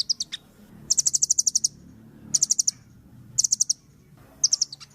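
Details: Velvet-fronted nuthatch in vigorous song for training other birds: quick bursts of four to nine very high, sharp notes, repeated about every second.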